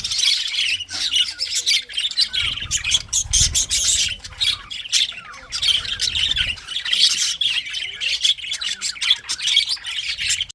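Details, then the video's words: Beautiful singing of English budgies, a long, lively stream of quick chirps, clicks and squawks that swells and fades in waves, with a low rumbling noise in the middle stretch. "English Budgies parrot 🦜 beautiful singing chirping sounds"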